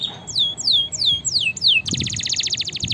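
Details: Canary song used to train and prompt lazy birds: a run of loud downslurred whistled notes about every quarter second, switching abruptly into a fast even high trill.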